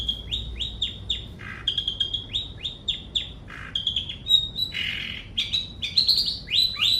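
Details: Long-tailed shrike song built from quick repeated rising whistled notes, several per second. The notes are broken by harsher rasping bursts and a few higher sharp chips, with soft low background hum.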